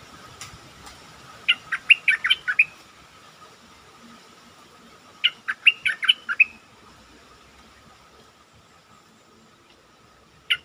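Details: Lure song of a caged stripe-throated bulbul: two phrases of quick, gurgling, warbled notes about four seconds apart, with a steady hum underneath.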